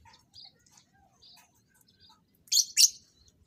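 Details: Pair of caged lovebirds being matched for mating; soft twittering notes lead into two loud, harsh, rasping shrieks close together near the end.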